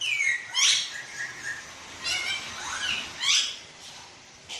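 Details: Talking pet green parrot producing several harmonic, speech-like utterances, some gliding down in pitch and some rising sharply, separated by short breaks with soft mumbled sounds between them.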